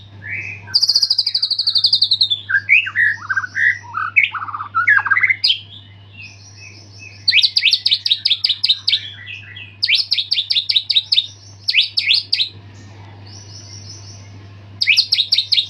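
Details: White-rumped shama (murai) after its moult, singing a full, varied song: rich whistled phrases and rapid slurred notes, then fast rattling bursts of high repeated notes in quick series, over a steady low electrical hum.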